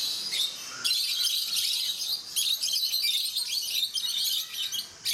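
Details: Peach-faced lovebirds in a group at Mysore Zoo, producing a continuous shrill chattering of high squeaky chirps from many birds at once, with brief lulls after the first second and near the end.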